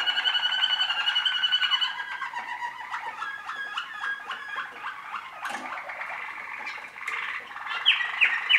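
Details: Waterslager canary hatched in 2013 singing a varied song: loud warbled phrases, then rapid clicking and chopped pulses, rolling passages, and a few high sweeping notes near the end.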